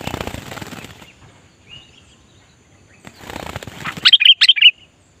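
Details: Sooty-headed bulbul in training to lure wild bulbuls: two bursts of fluttering wingbeats with a faint note between them, then a loud, bubbly pair of quick whistled phrases.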